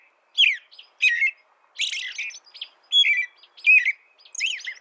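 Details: American robin song with warbled, downward-slurring whistled phrases coming in a steady sequence with short pauses between them; nothing else audible.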